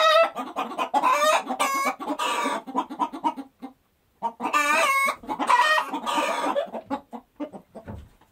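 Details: Several chickens cackle in loud, harsh bursts, then a brief pause, followed by more squawking cackles and trailing soft clucks.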